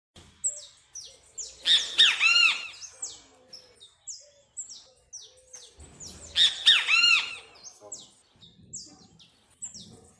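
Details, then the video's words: Great kiskadee (bem-te-vi) singing: two loud phrases about five seconds apart, each two sharp harsh notes followed by a longer slurred, buzzy third note, with thin high downslurred chirps from other small birds scattered throughout. "Bem te vi Cantando"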